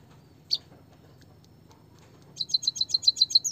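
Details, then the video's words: White-headed munia, played as a lure to get reluctant munias singing: a lone high chirp, then a fast run of about eight thin, high-pitched notes in just over a second, over a low background hum. "emprit kaji malas bunyi biar gacor - burung pipit bondol kaji suara asli"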